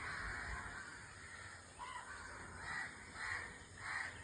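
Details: White-throated kingfisher uttering hoarse, scratchy notes, ending with three short raspy calls spaced about two-thirds of a second apart over constant background hiss.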